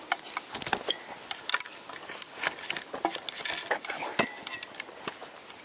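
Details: Indoor kitchen sounds in a small room: clinking dishes, pots and cutlery, stirring and brief speech, with no animal voices.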